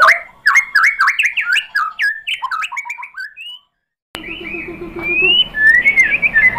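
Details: White-rumped shama singing to provoke other birds: a fast string of varied chirps and slurred whistles, an abrupt silence, then long clear rising and falling whistles over a faint background hum.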